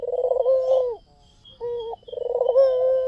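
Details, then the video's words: Singing white Barbary dove as a lure: a rolled throbbing coo, a brief pause, a short flat note, then another purring coo starting. "SUARA PUTER PUTIH FULL GACOR || PANCINGAN AMPUH"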